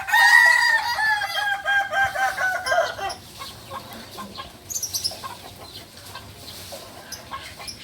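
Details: Beginner Balenggek cockerel from Solok, West Sumatra, gives a long crow lasting about three seconds in a series of pulsing, harmonic segments, fading into quiet background clicks and rustling.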